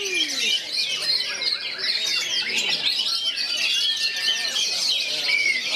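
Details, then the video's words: Oriental magpie-robin with three other magpie-robins around it, singing in kerayu style: dense, rapid high twittering and whistled phrases that overlap continuously, with several birds sounding at once and no pauses. "3 KACER DI SEKELILINGY BAGONG,KERAYU GAYA CARA MAIN NYA"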